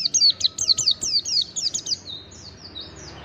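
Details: Mountain white-eye song used to prompt a silent bird into singing: a fast run of high, thin, downslurred whistled notes, about two per second-tenth, fading into quieter twitters, over steady low background noise.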